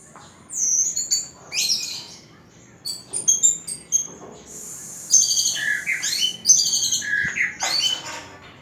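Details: Orange-headed thrush, a champion songbird, singing a varied run of clear high whistled phrases, some sliding up or down, with short trills and chirps broken by brief pauses; no other sounds stand out.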